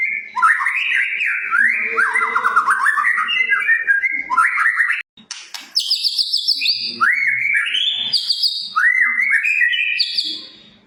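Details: White-rumped shama in full, rich song, played as a master and lure to provoke shamas into singing: loud rising whistled phrases repeated in runs, then higher sweeping notes after a brief pause.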